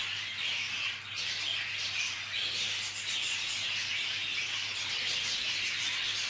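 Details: Colony-bred budgerigars fighting, with females contesting nests and males fighting over females, in a dense, continuous chatter of harsh, high squawks and chirps from many birds, with a faint steady low hum underneath.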